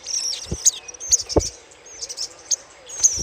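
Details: Little spiderhunter chattering, a lure sound: thin, high twittering notes with sharp bright chips roughly every half second, plus a few low thumps.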